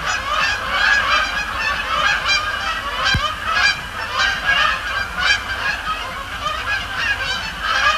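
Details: Canada geese at night at Sapsucker Woods Pond, Cornell Lab of Ornithology, on an October Thursday, flying over and splashing down; a dense chorus of overlapping nasal honks continues throughout, with one sharp click midway.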